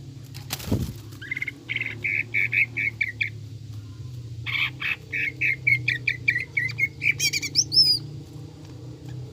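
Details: Greater green leafbird in lively, frequent gacor and jamtrok song in the ngekek style, filled with tengkek buto imitations, used as a lure for caged birds. A rapid string of short, sharp chattering notes keeps repeating, with a few higher whistled slurs near the end and a low background hum.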